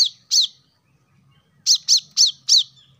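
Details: Plain-throated sunbird, local name kolibri kelapa or wiceh, heard in a lure recording for caged birds: two sharp, high chirps, a pause of over a second, then four quick downslurred chirps in a row, over a faint low rumble.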